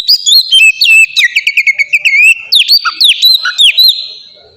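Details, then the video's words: Oriental magpie-robin (kacer) singing in the loud, open ngeplong style, used as a lure to make captive birds sing: rapid, varied whistled phrases with sharp upslurred and downslurred notes, trills and chattery bursts, continuous and loud throughout. "suara burung kacer ngeplong gacor sangat ampuh buat pancingan kacer bahan bikin cepat gacor"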